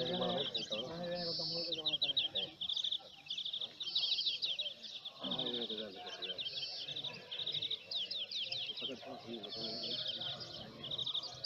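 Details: European greenfinch song at a singing competition held at El Torviscal, Seville, in 2018: bright rapid trills and twittering runs repeated in bursts every second or two, with people talking in the background.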